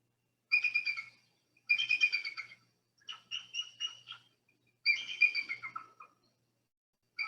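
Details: Bald eagle call played back as a recording: high, thin chattering bursts of rapid piping notes, each burst about half a second to a second long, repeated with short gaps, some falling in pitch at the end.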